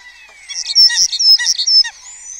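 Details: Colony of starlings in early morning at Cabañeros National Park, Spain, during the red deer rut, giving a busy, high jumble of whistles, clicks and sharp chirps, with thin slurred whistles rising and falling; starlings there mimic other birds' songs.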